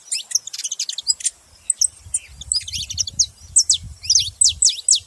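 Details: Saffron finch song: jumbled high chirps at first, then clear, ringing downslurred notes in quick succession, over a low rumbling background.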